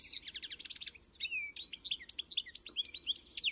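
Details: European goldfinch song: a brief buzzy burst, then a rapid series of bright, sharply slurred chirps and tinkling whistles delivered in quick succession.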